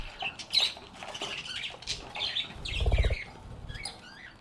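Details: A group of happy budgerigars chatters and sings. Scratchy warbles and short squawks overlap, with a burst of low knocking near the middle.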